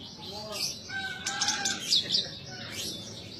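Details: Captive branjangan, a Horsfield's bush lark, singing gacor: high chirps and thin buzzy notes, with some lower steady whistled tones and light background hum.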